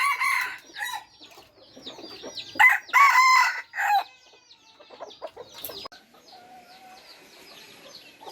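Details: F3-generation red junglefowl: a short burst near the start, then a strong harsh crow of several pulses around the third second. Softer twittering and chirping from other birds follow.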